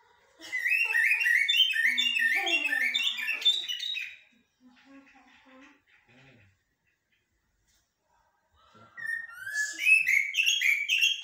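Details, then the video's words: Common blackbird song in the local blacksmith and military styles: about four seconds of loud, fast whistled and twittering notes, faint voices during a silent gap, then the warbling resumes strongly. "طائر الجحمومية أو الشحرور بتغاريد حدادية و عسكرية"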